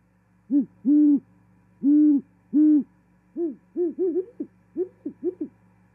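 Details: Great horned owls at an osprey nest in Charlo, Montana, on 18 January 2021, the female arriving and mating, give four deep, long, steady hoots followed by a quicker series of shorter, slightly higher hoots over a constant low hum.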